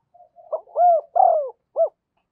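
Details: Decoy spotted dove calling to lure wild birds gives one coo phrase. Faint soft notes lead into two drawn-out, downward-bending hoots, then a short final coo.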